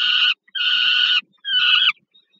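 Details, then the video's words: Peregrine falcon at a nest in Warsaw's Żerań thermal power plant, Poland, 15 August 2022, food being delivered to a young bird: three loud, raspy, nasal wails, the last bending slightly upward at its end. "Sokół wędrowny Warszawa, Termika Żerań (PL)- Elektra & Gratka, Nella z dostawą dla Gratki"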